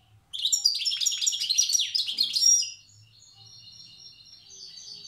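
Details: Wild European goldfinch of Tiaret in the old song style. About two seconds of loud, fast, jingling twitter are followed by soft, spaced, high notes.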